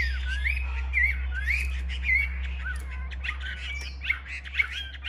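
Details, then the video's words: Large-bodied male-type Chinese hwamei, a kept cage bird shown in fighting spread display, singing: loud slurred whistles near mid pitch, rising and falling phrases about once a second, over a steady low hum and background noise. "Hm 2750 - Bộ to đấu xòe hót rất tốt, giộng rất hay"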